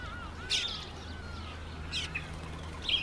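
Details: Red-faced mousebird at a birdbath on its first visit; three short, bright chirps about a second apart over a thin, steady whistled tone and soft background hiss.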